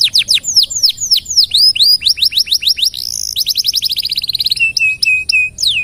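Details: Canary song for tutoring other birds, mixing rapid downslurred whistles, a buzzy rolling trill and short level whistled tones, sung loud and close.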